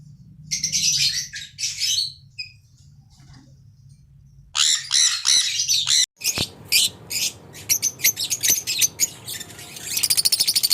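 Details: Budgerigars in a caged aviary colony, playing, singing and eating: bursts of harsh high squawks and chirps separated by short pauses, then a dense run of rapid chattering notes, over a steady low hum.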